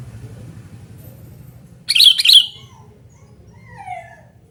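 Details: Sooty-headed bulbul calling loudly, a recording used to lure and tutor other bulbuls; one harsh, buzzy double note, bright and chattering, stands out midway over a faint low background hum.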